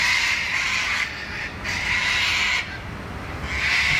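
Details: Flock of wild sulphur-crested cockatoos screeching at Wentworth Falls in the Australian bush just after sunset on 14 June 2021; harsh, broad, grating screeches in long overlapping bursts, three main blasts with brief dips between, steady low rumble beneath.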